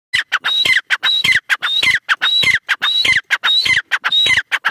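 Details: Grey francolin calling loudly: harsh, rasping phrases, each carrying a sharp high whistled note, repeated in a quick regular rhythm of roughly eight phrases in under five seconds, with brief silent gaps between.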